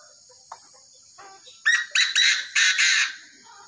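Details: Tamed Chinese francolin giving a loud, harsh series of five grating notes in about a second and a half, after a few faint, scattered softer calls.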